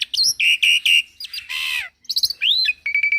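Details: Young Javan pied starling in full, energetic song: loud whistled notes and repeated sharp chips around a steady pitch, a harsh buzzy burst, then a rising-falling whistle and a quick run of clipped notes.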